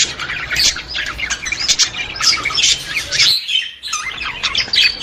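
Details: Budgerigars chattering to stimulate other budgies: steady high warble of squeaky notes and harsh squawks, with a short quiet break just past three seconds before the chatter resumes.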